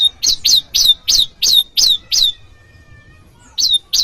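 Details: Bar-winged prinia, varied calls meant to lure wild birds and train cage birds: loud, rapid series of sharp high chirps with a downward flick, about three a second, a brief pause, then two more.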